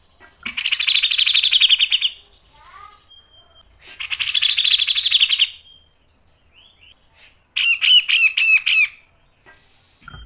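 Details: Grey-cheeked bulbul in energetic song, recorded as a tutor and lure track, with sharp ngepik and nembak phrases. Two harsh, buzzy, rasping bursts of about one and a half seconds each, separated by soft twitters, then a rapid run of sharp ringing notes.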